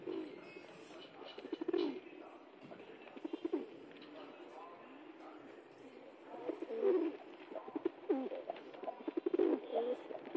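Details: Pigeons, including a pet pigeon that has joined a group of wild pigeons, give low, throaty rolling coos in bursts every couple of seconds, over a steady background hiss and faint rustling.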